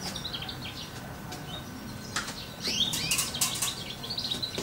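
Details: Young goldfinch hybrid, two months old, sings in its mid tone, giving high twittered notes that build into a denser burst of scratchy chirps and sharp clicks halfway through, with constant background hiss.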